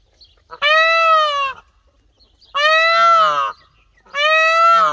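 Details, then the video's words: An Indian peafowl (peacock) gives three loud, nasal, wailing calls, each about a second long and slightly arched in pitch, repeated roughly every two seconds. "Peacock Sound"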